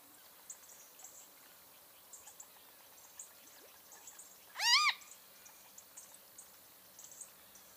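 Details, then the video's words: Great kiskadee, a single loud call near the middle: a stack of arched, harmonic-rich notes over a quiet background of faint high insect-like ticks. "O CANTO DO BEM-TE-VI (Pitangus sulphuratus)"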